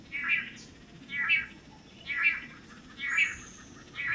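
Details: Long-tailed Manakin males displaying to a female on a lek in Costa Rica, several pairs taking turns: buzzy, rasping notes repeated steadily about once a second, with a faint high thin whistle late and a quiet background.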